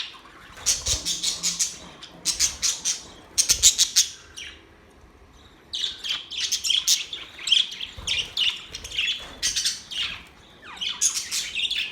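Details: Budgies singing in rapid chattering bursts of sharp, high chirps, grouped into runs of a second or so with brief quiet gaps, then a longer stretch of continuous warbling chatter.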